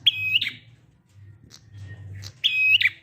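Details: Prinia singing in the long 'ngalun' style to stir quiet prinias into singing. Two buzzy, ringing phrases about 2.4 seconds apart, each ending in a downward twist, with a soft low hum between.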